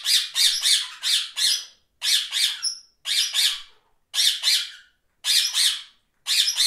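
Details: Parakeet calls in harsh, buzzy squawks, delivered in quick runs of three to five notes separated by short pauses. A single thin whistle breaks in near the middle.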